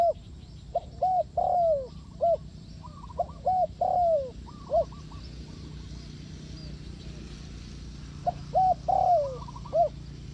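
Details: Spotted dove calling, its voice used to lure doves into a trap: soft hooting coos in short phrases, a couple of short notes then a longer falling coo, phrases repeated with pauses.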